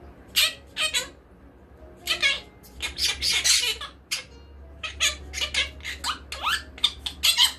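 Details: Pet monk parakeet (quaker parrot) giving bursts of harsh, buzzy squawks and chattering notes in irregular clusters, some rapid, with short pauses between; low steady hum underneath.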